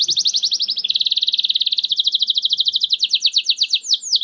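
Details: Canary song used as a lure to prompt silent canaries to sing: fast trills of high repeated syllables, a rapid buzzy roll shifting into slower, sweeping down-slurred notes near the end.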